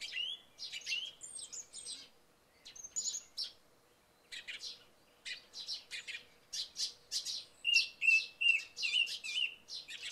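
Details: Early-morning song thrush after overnight rain. A clean whistled phrase is repeated four times near the end, set against many quick high chirps from sparrows. The notes come in bursts with short silent gaps.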